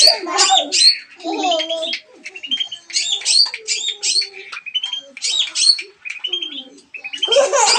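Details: Song of a long-tailed shrike used to coax a silent bird to sing: clustered bursts of harsh, buzzy chatter alternating with thinner whistled notes, phrases separated by short gaps.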